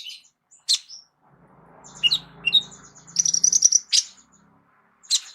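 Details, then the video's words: Kolibri ninja sunbird, a singer used to tutor other songbirds, giving scattered sharp high chips and a brief rattling run over a faint low hum. "KOLIBRI NINJA MEWAH ISIAN LENGKAP COCOK JADI GURU VOKAL UNTUK BURUNG JAGOAN KALIAN"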